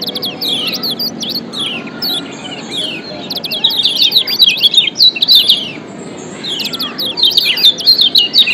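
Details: Lombok white-eye (kecial kuning) ciak calls combined as a lure for reluctant singers: dense overlapping high chirps and slurred tweets, growing louder and busier toward the end, with several birds calling together.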